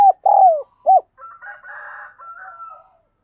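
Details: Decoy spotted dove cooing to call in wild doves: a long falling coo and a short coo end a phrase, followed by a fainter, higher, drawn-out bird call for about two seconds.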